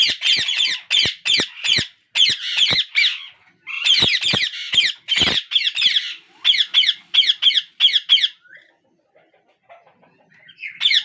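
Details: Captive parakeet chicks beg for food as their father feeds each in turn, giving rapid, harsh, raspy squawks, two or three a second, in urgent clusters separated by short pauses.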